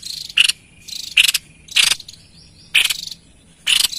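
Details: Energetic white-chested babbler song used to call in wild birds: five sharp, harsh, buzzy bursts spaced under a second apart, with faint thin tones between them.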